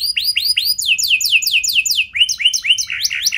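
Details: Canary singing a 'cengkok mewah' lure song for other canaries to answer. Clear, arched whistles descend in a quick repeating series of about four per second, followed by rising upslurred notes and a short buzzy close.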